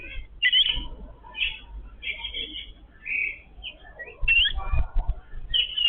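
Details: A feeding family group of Yellow-billed babblers. Bursts of harsh, buzzy squeaks alternate with sharp rising chirps, and rustling and tapping come in near the end.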